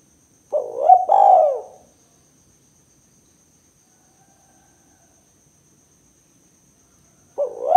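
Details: Spotted dove 'kuk 2' call used as a lure to provoke other doves: one mellow two-part coo, a long silence of about five seconds, then the start of the next coo.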